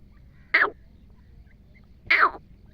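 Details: Wild female grey francolin of the desi type, a call used in hunting, giving two short, harsh, rasping notes that slide downward, about one and a half seconds apart, over a quiet background.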